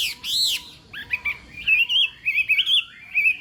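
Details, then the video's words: Morning contest song of a Chinese hwamei training its voice: an arched whistle, a short pause, then clear, warbling phrases that wander up and down, with brief gaps between them. "Hoạ Mi Hót Đấu /hoạ mi hót sáng luyện giọng kich bổi sổ giọng chim hót hay mỗi ngày/"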